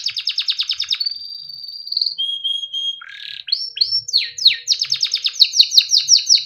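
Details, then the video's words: Timbrado canary in melodic training song, moving from a rapid pulsed trill into a long steady whistled tone, a lower held note, then sweeping rising notes and a renewed fast rolling trill. "Timbrado canary singing beautiful melodic songs for training"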